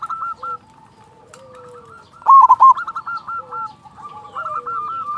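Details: Local zebra dove singing loudly as a lure for other doves. One strong rolling coo burst in the middle sits among continuous softer, rapid hooked notes from more doves.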